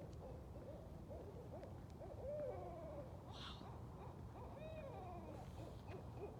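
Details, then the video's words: Several wild Barred Owls, four to eight or more, flying and caterwauling together during a night walk; overlapping wavering hoots and arched, rising-falling wails crowd the clip, each brief and repeated rapidly, with a soft breathy rush mid-clip. "Amazing Barred Owl Sounds & Calls"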